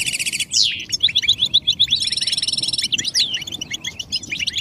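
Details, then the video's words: European goldfinch song for stimulating males to sing, described as mating calls: a buzzy rattle opens, then a descending slurred note, a run of repeated quick chirps, another long buzzing trill and more twittering. "بتبتة الحسون نداءات فعالة في علاج صمت الحسون"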